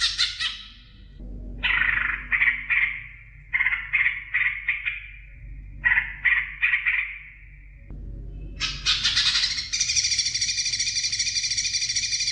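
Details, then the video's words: Greater green leafbird song meant to make young birds sing: a rasping burst, then groups of quick descending chattering notes repeated in short clusters, ending in a loud, continuous, buzzy rattle. "CUCAK IJO BIKIN JUNIOR NGETOP GACOR NGEPLONG"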